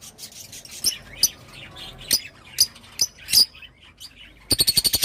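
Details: Rosy-faced lovebird giving sharp, isolated high chirps about every half second, ending with a fast rattling series of clipped squeaks.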